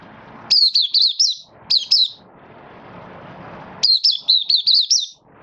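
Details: A Malaysian Oriental white-eye in minor moult, recorded 24 August 2023, sings high, rapid twittering phrases that rise and fall in three roughly one-second bursts with brief pauses, over a faint low room hum.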